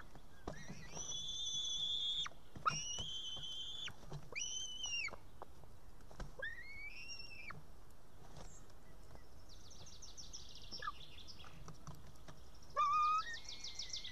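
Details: Female white-tailed eagle chick in a nest in Estonia, evening of 8 June 2018, too young to cut up a fish and begging a parent for food. Drawn-out, shrill whistled notes come one after another, with a rapid trilled run near the end.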